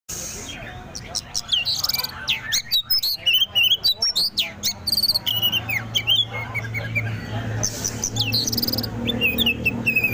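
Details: {'text': 'Tame oriental magpie-robin singing loudly, varied whistled and chattering phrases with rapid repeated notes and sweeping slurs, over a steady low background hum and noise.'}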